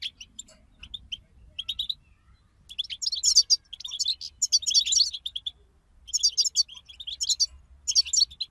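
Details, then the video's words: European goldfinch song used to stimulate a caged goldfinch to sing, a group chorus: bursts of high twittering, buzzy trills and quick chirps in clusters, with short pauses between phrases. "أخرج حسونك من صمته واكتشف التغاريد المخفية لديه"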